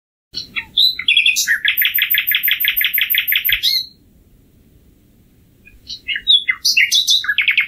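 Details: Common nightingale singing: a few sharp introductory notes, then a long run of rapid, evenly repeated buzzy notes lasting about two seconds, a pause, and a fresh burst of varied chirps and trills.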